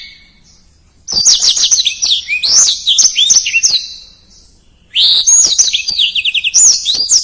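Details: Fast, dense blackthroat song used for training contest birds: after a second of quiet, high rapid twittering with slurred whistles, a pause, then a second energetic burst including a quick trill.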